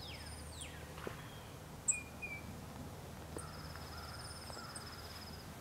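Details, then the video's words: Dark-eyed Junco giving a high, even, rapid trill on one pitch, while other birds add thin whistles over a low background rumble. "Dark-eyed Junco"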